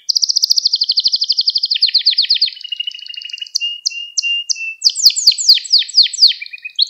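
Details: Singing canary in a recording intended to train young canaries; a long rapid trill slowing and dropping in pitch, thin sustained whistles, then sharp separated chirps and sweeping notes.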